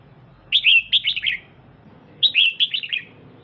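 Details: Kept female red-whiskered bulbul calling to rouse the male: two lively phrases of four or five bright, bouncing chirps each, roughly a second and a half apart, against faint background hum.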